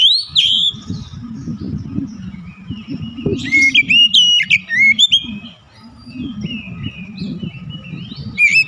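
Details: Oriental magpie-robin (kacer) in vigorous 'gacor' song used as a 'pancingan' lure: a rapid run of varied clear whistles, slurred sweeps and sharp chirps with short pauses, over a steady low rumbling hum and a faint thin tone.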